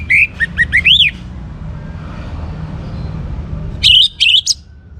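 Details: Young orange-headed thrush, kept as a songbird in northern Bali, singing to prompt other birds to sing: short whistled notes and upslurs near the top of the range, a pause with low background hum, then a burst of bright rapid phrases.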